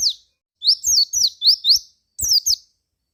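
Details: Song of a white-eye, used as a lure to get other white-eyes singing: a lively run of high, sliding chirps. Some notes fall and others rise, in quick bursts separated by short gaps. The background is clean.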